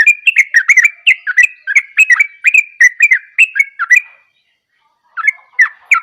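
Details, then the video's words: Yellow-vented bulbul giving a lively gacor song: about four seconds of rapid, repeated gurgling whistles, a brief silence, then a few more bubbly notes. "burung terucukan gacor"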